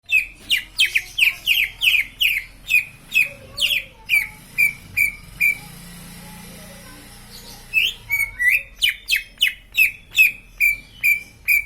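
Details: Green leafbird song: a fast run of bright whistled notes, each sliding down then levelling off, repeated about twice a second, with a pause midway before the series resumes.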